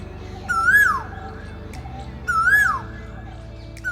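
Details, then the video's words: In urban Gurgaon, a male Asian koel on a treetop sings to attract a mate: two loud, clear whistled notes about two seconds apart, each swelling upward then dipping, over a soft low musical hum. "Male Asian koels sit on treetops and branches hoping to attract a mate with their impressive — and very loud — song."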